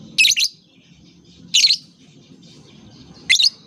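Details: Loud, harsh, high-pitched lovebird chirps in three separate double-pulsed bursts, part of a recording played to lure lovebirds, especially young learners, into calling.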